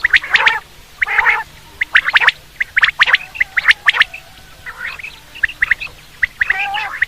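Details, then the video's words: Quail (batair) hunting calls: rasping, gargling bursts alternate with rapid runs of sharp high clicks, about once a second, becoming softer and sparser in the latter half. "batair ki bahtreen safe awaz new volume || batair hunting quail sound"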